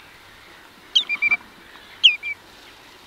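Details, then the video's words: Common redshank flight calls at Minsmere, Suffolk, UK: two bursts of clear, ringing whistles, a quick three- or four-note series then a shorter pair, each note dropping in pitch, over faint background hiss. "Redshank. Flight Calls"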